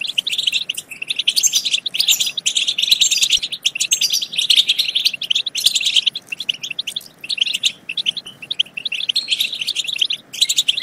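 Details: Continuous high, bright twittering of European goldfinch, a chatter meant to stimulate goldfinches into singing and mating; busy overlapping chirps run almost without pause, easing slightly around seven seconds.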